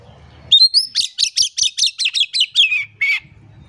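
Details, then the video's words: Oriental magpie-robin delivering vigorous song as a lure for silent birds. One upslurred whistle leads into a rapid string of about eleven piercing high chips that drift lower, finishing with a buzzy note over a soft low hum. "PANCINGAN KACER GACOR. KACER DIAM MALAS BUNYI COBA PANCNG DENGAN KACER INI"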